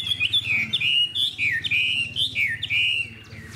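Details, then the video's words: Caged Hwamei with a spread tail gives clear, mellow whistled phrases, each sliding down and then lifting, in short bursts separated by brief gaps, over a low steady hum. "Họa mi đuôi xòe, thái độ tốt, giọng hay"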